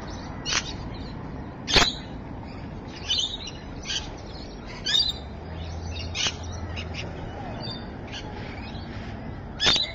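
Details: Rainbow lorikeets at Evans Head, recorded 26 May 2012: short harsh screeching notes at irregular intervals, a few louder shrieks standing out above a steady low background rumble.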